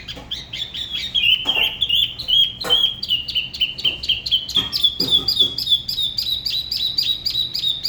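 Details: Spot-throated babbler from the La Ba river, Da Lat, performing a solo song in its unusual local style: a long wavering whistled line overlaid with rapid, steady ticking chirps.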